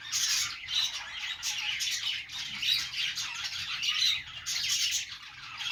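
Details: Budgies kept as pets chatter during play, dense twittering and buzzy squawks rolling on without a break, a few pure whistled notes standing out.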